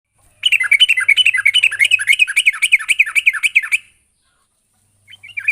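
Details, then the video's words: Sooty-headed bulbul calling to a rival, delivering a fast, lively run of bubbly, warbled notes around two to three thousand cycles for three seconds, then a brief pause and a short burst resuming; a faint steady high hiss runs underneath. "suara burung trucukan gacor memanggil lawan"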